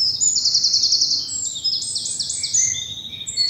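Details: Wild birds singing in early morning in a sunlit spring bluebell wood in the South of England; rapid high trilled phrases and thin whistles overlap from several birds.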